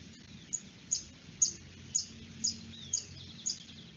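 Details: Sparkling violetear (colibrí chillón) at Santa María del Lago wetland, Bogotá, gives a sharp, high chip repeated about twice a second, steady and monotonous, over faint background hiss.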